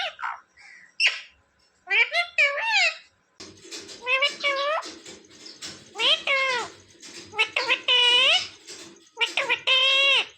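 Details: Pet parrot indoors repeating mummy-like two-syllable words, calling about every couple of seconds in a nasal harmonic voice, with a low background hum and some human speech.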